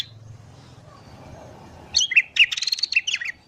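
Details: Sooty-headed bulbul in the morning, recorded as a lure for wild bulbuls: after a quiet stretch, an excited jumble of bubbly notes, squeaks, and chatter runs for about a second and a half.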